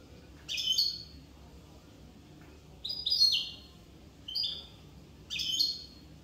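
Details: A Corsican goldfinch gives four short, high, bright call bursts spaced about one to two seconds apart. Soft background noise runs throughout.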